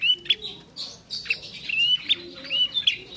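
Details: A young bar-winged prinia learning its song utters a rapid jumble of thin chirps and short rising whistles, one slightly longer slurred note in the middle, all high-pitched and irregular.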